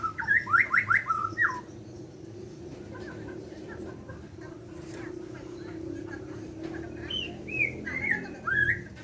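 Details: Borneo white-rumped shama singing in the morning: opening cluster of steep, rising whistled notes, a long quieter gap with faint chatter, then more slurred whistled phrases at the end.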